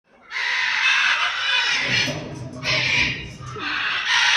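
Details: An eclectus parrot, which has laid an egg, gives three long, harsh, raspy screeches, each about one to two seconds, with a faint low rumble beneath.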